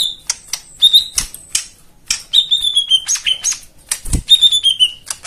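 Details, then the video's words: White-eye 'isian' song to prompt silent birds: thin sliding whistles that fall slowly in pitch, interleaved with quick sharp chips and ticks, plus a soft thump. "Spesial Untuk Jomin dan Macet Bunyi Isian Mewah"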